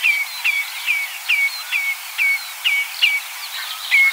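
Common Redshank giving a steady run of clear, down-slurred piping whistles, about two each second, with fainter calls from other birds behind.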